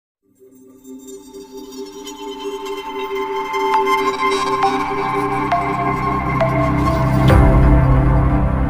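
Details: Slow ambient electronic music with sustained tones and chime-like strikes builds in volume, and no animal voice is heard.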